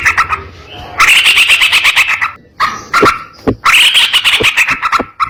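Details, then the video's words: Sooty-headed bulbul tutor recording for training other bulbuls, delivered in a rapid, continuous, harsh style: three dense bursts of fast, buzzy chirping notes separated by short gaps with a few sharp clicks, over a faint low hum. "BURUNG TRUCUK GACOR ROPEL NEMBAK KASAR‼️ MASTERAN TRUCUK"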